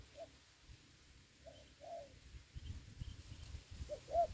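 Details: Spotted dove serving as a ground decoy in Vietnamese trapping during the Covid season: quiet, distant-sounding short coos spaced by pauses, with scattered low knocks and rustles.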